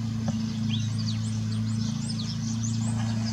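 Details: Common starling on İnönü University campus, Turkey: a stream of high, slurred whistles, some rising and some falling, given rapidly one after another over a loud, steady low mechanical hum.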